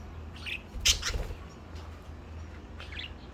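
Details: A male lutino budgerigar, a free-flying, friendly pet, gives a few short, sharp chirps in the morning while a person's voice is faintly heard nearby coaxing him to play and fly.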